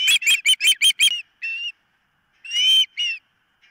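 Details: Osprey calling from the nest on a nest camera, 4 September 2023, mid-morning: a quick burst of six sharp whistled chirps, then a pause, and two longer, drawn-out whistled notes separated by short silences.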